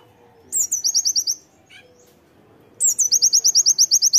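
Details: Oriental white-eye in loud singing used as a master song for training: two bursts of high, sharp chirps, a downslurred opening note followed by a rapid series of repeated clipped notes, separated by a quiet pause with a low hum.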